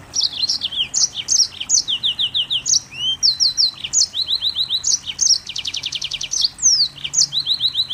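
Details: Mozambique canary singing in dense, rapid bursts: bright high chirps, downslurred whistles and repeated notes, with one fast buzzy trill near the middle, phrases following almost without pause.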